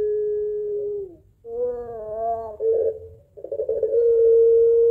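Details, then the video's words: Puter pelung barbary dove calling for its mate, a lively long call used as a lure: a falling note, a pause, a wavering glide, a rough gurgle, then a long steady tone. "SUARA PANJANG PUTER PELUNG GACOR MENANGIS TERTAWA MEMANGGIL PASANGANNYA"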